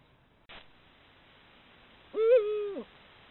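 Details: A female Eurasian eagle-owl in breeding season, caught on a camera trap during courtship nights, gives one hoarse, mid-pitched hoot under a second long that swells slightly and then drops away, after a brief click.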